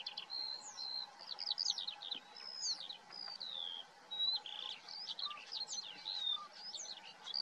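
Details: A common starling's busy medley of sliding whistles, downward swoops, squeaks and chattering notes tumbling one after another without pause, over a low, constant background hum.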